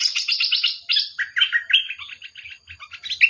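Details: Bulbul delivering a fast, continuous run of bright chirps and slurred warbling notes, mostly high-pitched, with barely any gaps between phrases.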